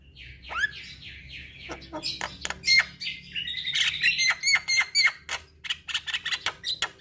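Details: Javan myna song: scratchy descending notes open into a busy stream of harsh chatters, clicks and thin whistles, repeated rapidly, with a low hum behind. Played to stressed mynas that have stopped singing.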